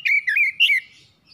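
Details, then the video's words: Brief phrase from a house-kept oriental magpie-robin used to trigger singing: three loud, clear, warbling whistles in quick succession, fading away. "PANCINGAN CEPAT PAGI SIANG MALAM KACER RUMAHAN CEPAT GACOR"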